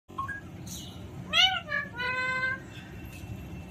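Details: ['Alexandrine parakeet, apparently a pet, giving a short rising whistle, then a loud arched harmonic call, then a flat, drawn-out nasal tone for about half a second. Steady low background hum throughout.']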